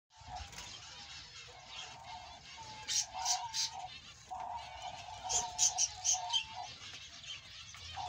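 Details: Male Australian budgerigar warbling: bursts of bright, high chirps and short squeaky notes, loudest around three seconds and again near five to six seconds, over a steady low droning tone and faint background rumble.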